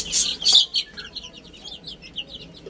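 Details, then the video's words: Two loud rasping bursts open, then chicks that are eating and playing give a neat run of high, short, falling peeps, roughly five or six per second. "Cute Little Chicks Chirping Sounds"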